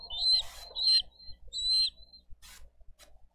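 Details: At a Dade County bald eagle nest on 22 April 2023, during a fish delivery and feeding of eaglets: three high, drawn-out whistled notes with a squeaky break, followed by brief rustles and taps.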